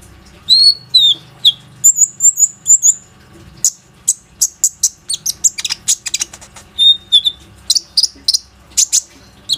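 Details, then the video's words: Plain-throated sunbird, a frequent singer used to lure other sunbirds, recorded by phone: slurred high whistles, a thin sustained trill, then a dense run of sharp chirps and twitters. "PANCINGAN KONIN GACOR INI PANDAI MEMANCING KOLIBRI NINJA LAIN AGAR IKUT RAJIN BUNYI"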